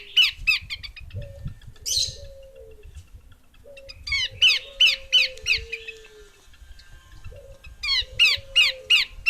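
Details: Female Horsfield's babbler repeating bouts of sharp, scratchy chattering notes, roughly three a second, with short gaps between bouts. Soft low whistles slide downward in the pauses.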